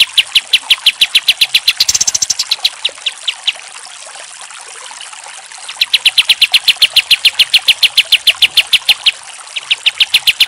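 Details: Pied triller training recording: rapid, high, evenly spaced chips, about three or four a second, in long trilling runs separated by brief pauses.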